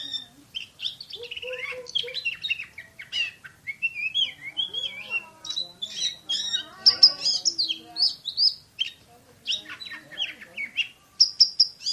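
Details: Oriental magpie-robin in a long, fast 'nembak speed rapat' song: varied whistles, buzzy trills and rattling chips repeated densely, building to loud bright phrases at the close.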